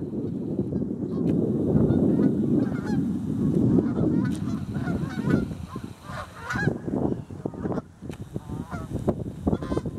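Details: A flock of geese arriving and settling onto an icy pond in November 2014, giving loud overlapping honks that fade into separate, clearer nasal calls with a steady low background rumble.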